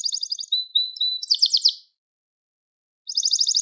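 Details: Gloster canary singing to stimulate and train other canaries: short, fast trills and drawn-out flat whistles, then about a second of silence before a rapid rolling trill starts again.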